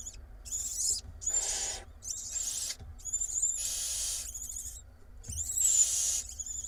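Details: Barn owl chicks begging while their mother feeds them in a nest box in Israel, April 2021: overlapping rasping screeches with thin whistled edges, several long hissy bursts, soft knocks and a low hum.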